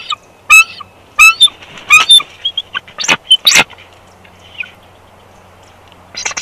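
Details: At a Big Bear bald eagle nest on 1 March 2021, the pair swap incubation duty on the second clutch: rapid shrill squeals and chattering notes in an uneven series, then a quieter gap and one last squeal, over low background hum.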